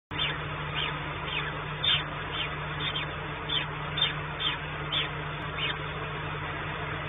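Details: Peregrine falcons at a nest on the Orlen site in Płock, Poland, 28 April 2019, a female seeking food for young but finding only dry scraps: short sharp calls repeated roughly twice a second over a steady low hum.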